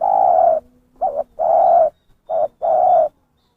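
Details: Zebra dove lure call, clear: long steady coos separated by shorter, slightly wavering notes, about five notes in a quick run.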